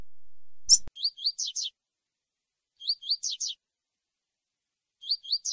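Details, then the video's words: Male double-collared seedeater (coleiro) tui tui song played to warm up a female; one sharp chirp, then short bright phrases of four or five quick rising whistled notes, repeated about every two seconds. "FÊMEA DE COLEIRO COM CANTO DE COLEIRO TUI TUI PARA ESQUENTAR"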